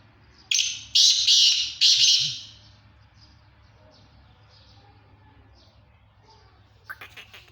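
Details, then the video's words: Black francolin in Sindh, Pakistan: three loud, harsh, grating bursts in quick succession over about two seconds, then quiet with faint distant calls and a brief scratchy note near the end. "Kala Teeter sindh Pakistan"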